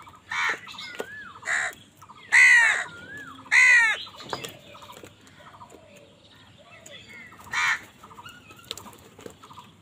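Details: Angry crows fighting other wild birds for food: loud, harsh, hoarse caws in short bursts scattered through the clip, with softer whistled and chattering notes from other birds in the gaps between them.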